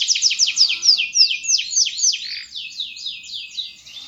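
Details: Singing canary delivers a rapid run of high, sweeping downslurred whistles, each note repeated several times per second, the phrases gradually slowing and softening toward the end; no other sounds.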